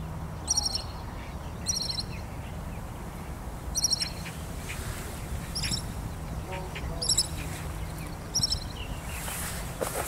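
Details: Pied kingfisher recorded on Kinmen, calling in short clusters of sharp, shrill, high chirps spaced one to two seconds apart, over a steady low drone and faint rural background.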